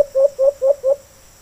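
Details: Four quick, low hollow coos from a wild white-eared brown dove responding to a kept bird, closely spaced and fading out within a second.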